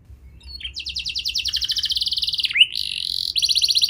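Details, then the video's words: Lure song for young canaries reluctant to sing: a quick, evenly pulsed high trill lasting nearly two seconds, a sharp swooping note, then another fast rattling trill. "Pancingan Burung Kenari Muda! Ampuh Buat Mengatasi Kenari Muda Susah Gacor Pasti Langsung Ngeplong"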